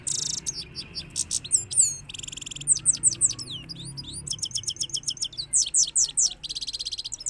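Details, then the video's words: European goldfinch in full rolling song, fast tinkling twitters, dry buzzy trills and downslurred whistles tumbling together without pause, with steady low hum underneath. "Gold Finch Vs Gold Finch New 2022 / Gold Rolling Songs 2022"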